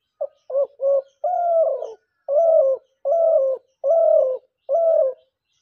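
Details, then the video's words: Lure dove used by hunters gives a steady cooing run: three quick clipped notes, then five longer level coos with slight downward ends, spaced about every three quarters of a second. "শিকারি ঘুঘু পাখির ডাক"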